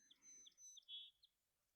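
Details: At midday in June, a territorial Song Sparrow with a small black breast mark, in its second year holding the territory behind the home, sings a fragment: a few bright high notes, a longer clear note, then a short chip, in a quiet setting.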